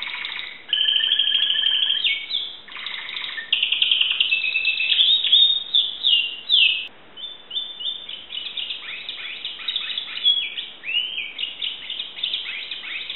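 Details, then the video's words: Caged Timbrado canary from Greece in full song, a long varied sequence of rolling trills, sustained metallic tones and quick falling notes, shifting phrase every second or two without pause. "greek canary timbrado singing song"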